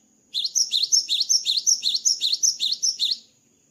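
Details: Singing strongly after moulting, a cinereous tit delivers a fast, regular chain of about eleven paired whistles, a bright high note then a lower dipping one, close to three per second.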